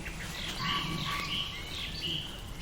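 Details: Mistle thrush singing in English woodland on a spring evening, giving short, loud fluted phrases with a harsh edge: three clear whistled notes about a second apart, over a low outdoor rumble.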